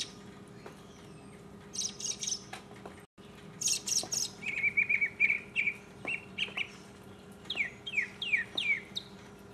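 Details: Solo mockingbird song from 2015: high buzzy trilled bursts, then a run of quick repeated chirps, followed by a series of downslurred whistles repeated in quick succession.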